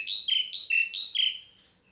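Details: Pied myna calling rapidly: alternating harsh, buzzy rasps and lower flat whistled notes, four pairs in under two seconds, loud and close.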